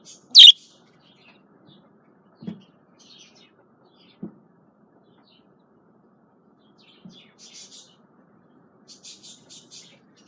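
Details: Female budgerigar giving one sharp, high chirp at the start, then mostly quiet with a few soft low thumps and faint, scratchy twittering near the end.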